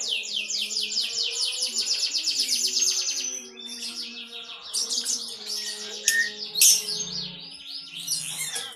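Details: Lovebird giving konslet, a continuous unbroken song: a fast run of high chirps for three seconds, then a busier jumble of sharp, varied twitters and squeaks with brief louder accents, faint low hum beneath.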